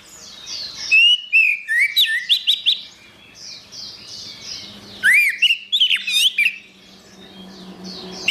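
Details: Song of an Orange-headed thrush, offered as therapy for a bird that won't sing: two bursts of loud, rich whistled phrases mixing slurred notes and rapid chirps, separated by a quieter pause.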